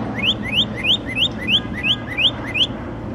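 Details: Unnamed songbird singing at night: a regular string of rising whistled upslurs, about three per second, each sweeping sharply upward; low background hum.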